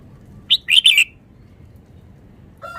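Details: Caged red-whiskered bulbul from Vietnam in quick, fast-paced song: three brisk bright chirps in under a second, then silence and the onset of a lower tone, over a quiet low hum.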